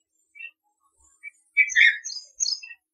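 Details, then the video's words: Red-vented bulbul in India giving a few short chirps, then a bright, bubbly burst of clear notes lasting about a second; quiet background. "Red Vented Bulbul"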